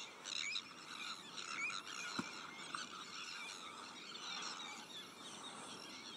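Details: Sandwich tern breeding colony shared with black-headed gulls, arctic terns and common terns: grating calls and a few clear rising squeals over steady chatter, with one sharp knock near the middle.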